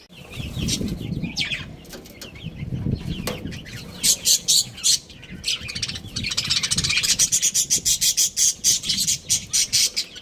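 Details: Budgerigars of a breeding pair chirp amid low background rumble; the second half brings a rapid, evenly pulsed string of high notes, about three per second.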